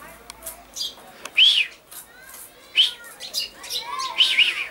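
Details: Common chaffinch recorded 22 August 2013: three clear arched chirps about a second and a half apart, with faint twittering and soft clicks in the background.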